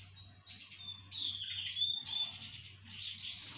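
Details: Canaries singing in chorus. A quieter start gives way to louder overlapping trills and warbled phrases, with a soft low hum in the background.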